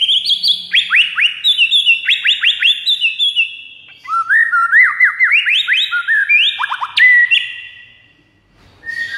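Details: White-rumped shama song aimed at drawing in rival shamas: dense rapid sequences of high, steeply falling whistles, a short pause, then lower rising-and-falling slurred phrases and a final burst of sharp notes.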